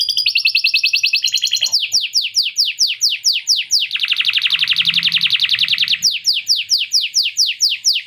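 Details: Canary singing long and steadily, its song filled with lovebird ngekek phrases: a rapid high trill opens, then quick descending whistled sweeps repeated several times a second, a dense buzzy rattling trill in the middle, and more falling sweeps.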